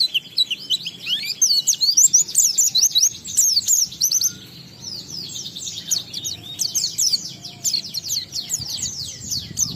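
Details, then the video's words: Singing Oriental white-eye, known locally as pleci, in the 'ngalas' style with 'isian' phrases meant to trigger other white-eyes; fast, near-continuous high chirping, roughly 133 notes a minute, softer after four seconds. "Burung Pleci Gacor NGALAS Isian sambung Riwikan Materi Ampuh Merangsang Semua Pleci langsung Gacor"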